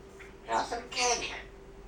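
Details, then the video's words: Pet grey parrot showing part of its talking repertoire indoors: two quick speech-like phrases, voiced and word-shaped like human talk, in a quiet room. "Žako pričalica"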